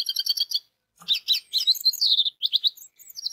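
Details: Orange-headed thrush song played to get other orange-headed thrushes singing: quick stuttering trills and bright chirps pour out in dense bursts, with brief gaps and rising and falling whistled notes.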